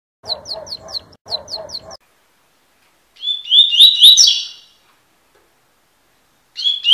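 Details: Double-collared seedeater (coleiro) singing the tui tui song style as a training recording: quick sets of repeated high chips, a silence, then a bright warbled phrase of rising and falling whistles, and a new phrase starting at the end.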